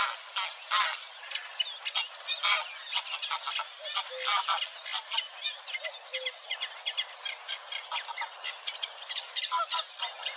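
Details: Eurasian Reed Warbler singing at Wetering West in Overijssel, Netherlands, 6–7 May 2022; a steady burbling stream of harsh, clicking and grating notes, repeated in uneven bursts, with some mimicry stated, continuing for ten seconds.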